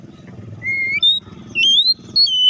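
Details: Oriental magpie-robin (kacer) provoking song: drawn-out rising whistles with short jumps between pitches, over a steady low rumbling background noise.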